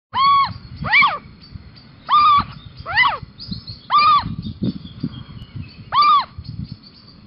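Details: [1, 'Little owl on a balcony in Sprundel, Netherlands, 6 March 2020, giving six clear mewing calls that arch up then fall, spaced about a second apart, over low rumbling background noise.']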